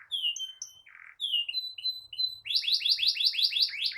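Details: Canary song in the ngerol style, meant to teach young canaries and start silent ones singing: flat whistled notes and a short buzzy burst, then a quick regular series of rising chirps.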